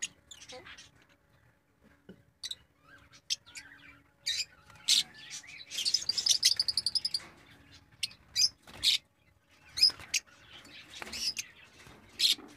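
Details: Budgerigars in a breeding cage chatter with bright, scratchy chirps and rapid warbled bursts.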